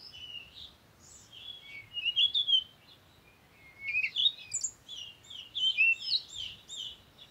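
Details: Parakeet chattering in three clusters of rapid, high-pitched, scratchy chirps and squeaks, with brief quiet gaps between bursts.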